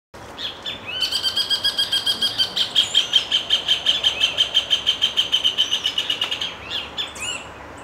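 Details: A male Rufous Hornero sings a solo, in a species that mostly duets, in Brasilia, Brazil, on 19 January 2016: a loud, ringing run of about thirty high notes, five or six a second, over faint hiss.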